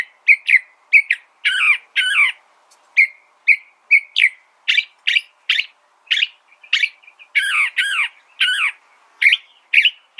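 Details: California thrasher singing loud, clear phrases of rising and falling whistled and slurred notes, many given in quick pairs, delivered at a steady, rapid pace with short gaps.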